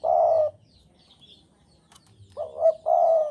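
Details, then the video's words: Spotted dove from Java, eager and in breeding mood, ends one long low coo, then after a pause gives a full phrase: a quavering note followed by a steady drawn-out coo. "Derkuku Jawa Gacor Birahi Keras"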